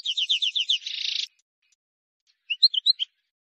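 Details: European goldfinch, wild bird, used to teach fledglings: a series of quick repeated slurred notes runs into a buzzy rasp, then after a silence four sharp tinkling chirps.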